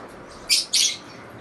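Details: Lovebirds giving two loud, shrill, harsh chirps in quick succession, each lasting about a fifth of a second, with a short gap between them and quiet background otherwise.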